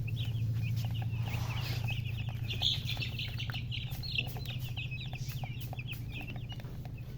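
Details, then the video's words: A brood of chicken chicks keeps up fast, overlapping high peeps, roughly three per second, with soft clicks and rustling and a steady low hum beneath. "MURGI Baby "Chicks Chirping" Sound"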